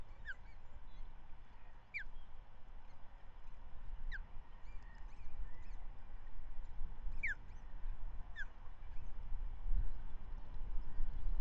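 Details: Morning of 13/05/2023 at Manton Bay: an osprey feeds the year's first chick after the male brought a trout; five short, falling whistled chirps at irregular intervals of about two seconds, over steady low rumble.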